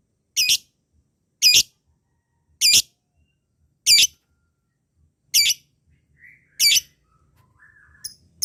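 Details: Shrill lovebird calls serving as a rival voice to trigger long ngekek in quiet birds: six strong harsh chirps about once a second, followed by softer scattered sounds.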